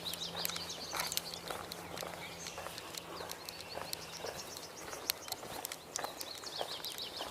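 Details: American robin on 14 May 2022 giving sharp, clipped alert notes repeated irregularly, possibly alarmed by the recordist or a passing pedestrian, over a busy chorus of high chirping birds, a low steady hum and faint voices.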